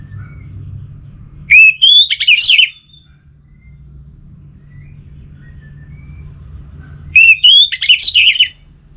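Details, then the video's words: Orange-headed thrush song used as a lure to make kept birds sing: two bursts of rapid, rising and tumbling whistled notes, each about a second long and about five seconds apart, over a low steady hum. "ANIS Merah Dirumah Pasti Bunyi Dengar Pancingan Kicauan Burung ini"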